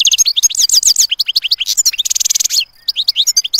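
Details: European goldfinch in full song: a loud, rapid tumble of bright twittering notes and trills, a fast buzzy run of repeated chips in the middle, then more liquid twitters after a brief pause.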